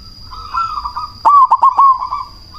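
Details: Loud-voiced cemani zebra dove, played as a lure to provoke rival doves to answer and raise breeding drive. A low rolling purr is followed by three or four sharp, clipped coo notes. A constant high whine sits in the background.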